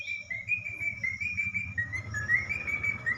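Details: Pet talking parrot singing: a sustained, clear whistled tone holding steady and wavering slightly, with gentle pitch rises and dips across about three seconds, over a low background hum.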